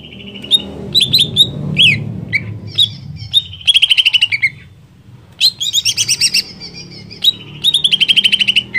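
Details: Excited greater green leafbird (cucak ijo) song aimed at stirring other leafbirds: varied whistles and slurred notes giving way to rapid rattling trills, repeated in several bursts over a low background hum.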